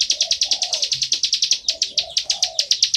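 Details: A bar-winged prinia sings loudly and without pause, its sharp, high notes running at a little over two per second, with low, soft cooing behind.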